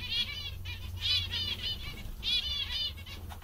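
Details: Content zebra finches make short bursts of nasal, buzzy calls, each burst a quick run of beeps, with pauses of about a second between bursts and a low hum behind.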